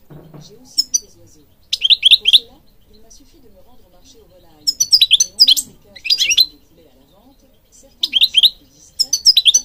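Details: European goldfinch singing bright, tinkling twitters in quick bursts of rapid liquid notes, each phrase lasting under a second and repeated every couple of seconds, with faint low murmurs between phrases.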